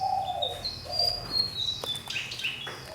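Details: Caged fantail, kept for one year in a large cage, singing: thin, high sustained whistles with lower, softer whistled notes beneath, then a quick run of bright rising and falling notes near the end.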